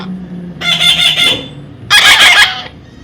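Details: Young parrot gives two loud, coarse squawks, the second harsher and broader, while someone calls it forward during taming.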